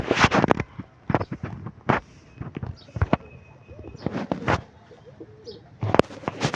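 Soft, low pigeon cooing drifts in and out, almost buried under sharp clattering knocks and flapping bursts.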